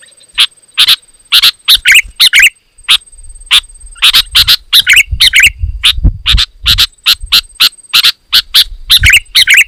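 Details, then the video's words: Sooty-headed bulbul singing densely and loudly, a recording used to provoke rival bulbuls into answering and to lure wild birds; a quick, uneven string of short harsh chirps, some doubled, over a faint steady high whine and low rumble. "Suara Burung KUTILANG GACOR, Rapat dan Lantang Menekan Lawan Burung Kutilang Lain Auto Emosi"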